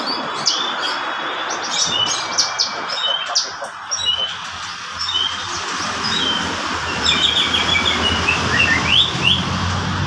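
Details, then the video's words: Lively song from a varpa-type Horsfield's bush lark: scattered sharp clicks and chirps early, then a dense burst of rapid high twittering and slurred whistles, set against steady hiss and low rumble. "beranjngan varpa gacor"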